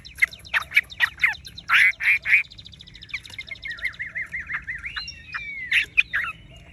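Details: Chinese hwamei kept in a cage, tame and golden-yellow, singing harsh chattering bursts that give way to a long wavering whistled trill and a final upward-sliding whistle.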